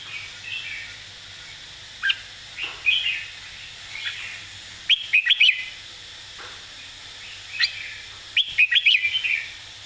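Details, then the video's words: Red-whiskered bulbul teaching song played to train birds: short whistled phrases recur, each a rapid cluster of four or five bright, sharp notes, with softer warbled fragments in between over a low background hum. "สำนวนเพลงแม่บท ร้องง่ายๆ (ไว้เปิดสอนนก)#นกกรงหัวจุก #เสียงนกกรงหัวจุก"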